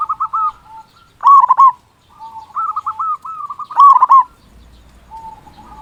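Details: Loud local zebra dove song meant to rouse quiet doves into singing: soft stuttering trills alternating with louder rolling coo bursts every couple of seconds, ending in faint notes.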